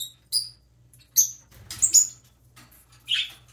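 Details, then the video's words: Young parrotlet preening and chirping indoors; a run of thin, high, sharply descending chirps, some doubled, spaced irregularly with a rougher note at the end, over a low hum. "baby parrotlet preening and chirping"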